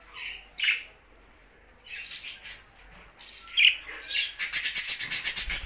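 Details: Budgies singing happily: separate squeaky chirps at first, then a fast buzzy chatter of rapidly repeated clicking notes that runs to the end.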